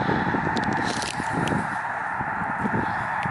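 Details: Migrating snow geese gathered in a great flock on Lake Springfield, Illinois: an unbroken roar of mingled honks, with a few sharp clicking sounds near the start.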